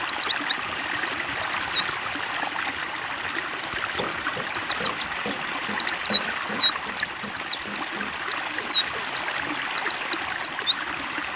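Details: A captive white-eye sings in fast, high, thin twittering runs of quick slurred notes, pausing briefly midway, over soft trickling water played as water therapy to prompt a silent bird to sing.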